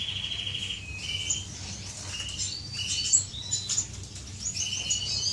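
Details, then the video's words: An aviary of courting finches, recorded 10 May 2015: short buzzy phrases alternate with sharp high chirps and brief whistles from several birds, set against a steady low hum. "غزل بين طيور الفنش داخل مطير"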